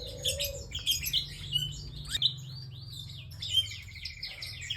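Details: Bar-winged prinia singing persistently in a long session: sharp high chirps and short buzzy trills in irregular bursts, with a steady low hum throughout.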